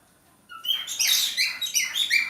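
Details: Male budgerigar in breeding condition, kept by a bird breeder, starts after a brief silence with a rising whistle, then breaks into a dense, buzzy, chattering warble of high chirps and downward-sweeping notes.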